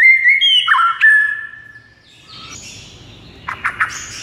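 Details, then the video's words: White-rumped shama singing, played to spur a silent bird: a falling series of pure whistles, then a high thin squeal and a few quick chattering notes over soft background noise. "JADIKAN MURAI BATU BISU LANGSUNG NGAMUK DAN GACOR MENDENGARNYA"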